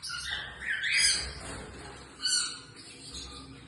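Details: Pet female Pacific parrotlet uttering a scratchy, rising squawky chirp, then a quieter pause and a second sharper squeaky call, with faint twittering in between.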